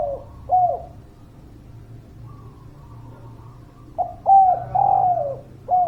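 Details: Spotted dove song used as a lure for reluctant birds: the tail of one cooing phrase, a quiet gap, then a full phrase of low falling coos, and another beginning at the end.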